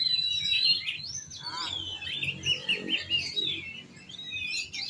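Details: Loud, clear oriental magpie-robin song: pure whistles followed by a run of rapid, rolling chirped notes, then softer whistled phrases.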